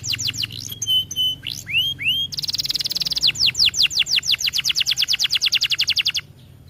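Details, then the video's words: Canary song meant to stimulate other canaries to sing and breed: varied whistled phrases and upslurs, a buzzy burst, then a long steady series of rapid repeated high notes. "Video kenari gacor efektif untuk masteran"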